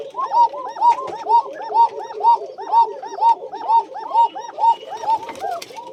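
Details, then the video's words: Tiger Bashiraj koka pigeons kept in a loft at Bagmara, Rajshahi, cooing: arched, rounded coo notes repeated steadily about twice per second, several birds overlapping, with a faint voice in the background. "টাইগার বাশিরাজ কোকা"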